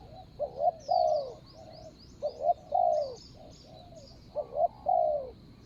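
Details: Spotted dove coos during ground decoying aimed at catching a strong-voiced wild rival, 24/01/65 Thai calendar; three repeated phrases, each a quick double coo then a long descending coo and short tail note, with thin high chirps overhead.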